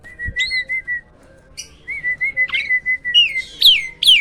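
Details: A hybrid myna delivers loud, drawn-out level whistles, then a run of sharp, rising notes that grows louder toward the end.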